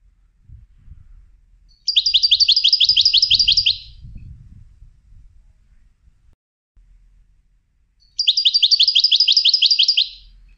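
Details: Goldfinch in training for song contests sings a fast, even trill of about four notes per second, lasting roughly two seconds and repeated after a pause filled with low rumbling.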